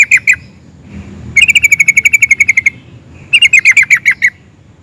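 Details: Sooty-headed bulbul in excited song of the ngeplik and ngerol styles, meant to make other bulbuls answer; three bursts of rapid, evenly repeated bright notes, the middle burst longest, with a low background hum.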